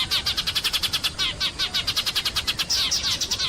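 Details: Sparrow chirping in the morning: a fast, steady run of short, bright chirps, about eight to nine a second, each with a quick down-sweeping trill, over a soft low hiss.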